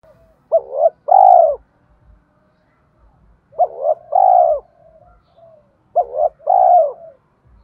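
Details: Lure spotted dove cooing to provoke wild doves to call back, thổ-style voice: three phrases of a short paired coo then a long, smooth held coo, spaced around two and a half seconds apart.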